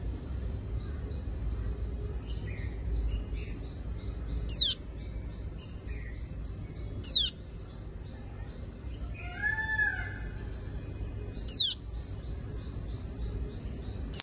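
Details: A roughly two-week-old tailorbird chick, found alone and startled below its empty nest in a house, calls for its mother: a rapid string of thin, high chips, a few sharp, loud downslurred notes and a brief lower warble.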